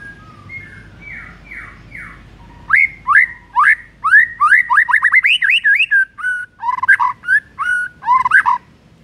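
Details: Morning lure song of a white-rumped shama, meant to set a quiet bird singing: soft rising notes, then a fast varied run of loud whistled and chattering phrases with sharp upswept notes.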